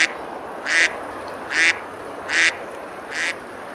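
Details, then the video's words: Ducks on a river in Besalú, Girona, Spain, eating and splashing on a summer day; five coarse quacks spaced under a second apart, the final one softer, with a constant hiss of flowing water. "Ducks quacking, eating and splashing on the river"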